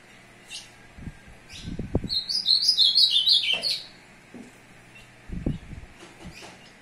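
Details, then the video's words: Ultramarine grosbeak courting a female, recorded 2 June 2022: a fast series of sweet slurred notes stepping downward over about one and a half seconds, among low thumps and handling knocks before and after. "azulão cheriff aprontando fêmea"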